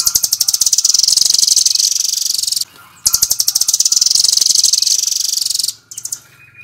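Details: Rambatan, or velvet-fronted nuthatch, in full-speed 'Doraemon' delivery: two long, shrill, machine-gun trills of high ticking notes, each about two and a half seconds, with a short pause between them.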